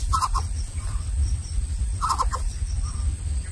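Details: Greater coucal nestlings of different sizes competing for food in the nest, the smallest unable to get fed: short harsh call bursts near one pitch, given in close pairs about two seconds apart, over steady low rumble and a faint high hiss.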